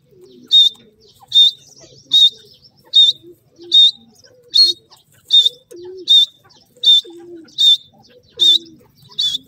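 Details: Francolin calling in the breeding season: loud, sharp, high notes repeated at a steady rhythm, roughly one every 0.8 seconds, over softer low cooing and chattering from other birds in the background.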